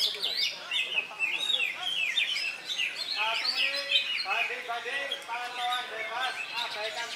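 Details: Greater green leafbird at an Indonesian songbird contest, freshly moulted and caged: varied, rapid whistled and slurred notes in quick bursts, with human voices mixed underneath throughout.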